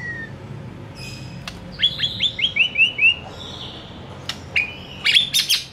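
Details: Shama song from a master training recording: a quick repeated series of about six short high downslurred notes, followed after a pause by bright sliding whistles and sharp clicks, over faint steady background noise.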